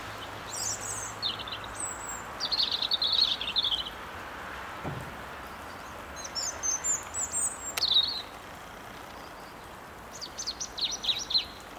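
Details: A European serin (Serinus serinus) in Ljubljana Botanical Garden on 18 January 2023 gives high, thin jingling twitters in short bursts every few seconds over a steady hiss, with a faint thump midway.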